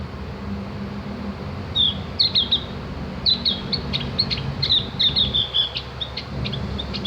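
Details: Javan grey-throated white-eye tutor recording for training birds to sing: bursts of quick, high, twittering chirps and slurred whistles in loose phrases, with a constant low hum behind.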